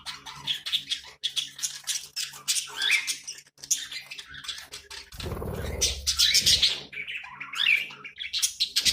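Budgerigars chatter and warble in a steady stream of high, scratchy chirps and squeaks.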